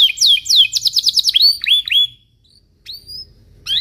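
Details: Morning song of a Belgian canary, played to train young canaries: bright descending sweeps and quick repeated notes, then sliding whistles, a pause and fresh rising phrases.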